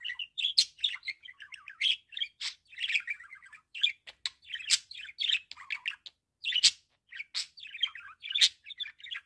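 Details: Budgerigar calling, a pet bird, in a fast chattering warble of buzzy chirps and rolling trills with sharp clicks, bursts every fraction of a second, no other sounds.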